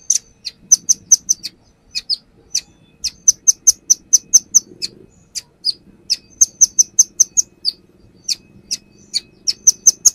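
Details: Brown-throated sunbird perched and unloading its song repertoire as a lure: a long, steady series of sharp high chirps, roughly two to three per second, over a faint low hum.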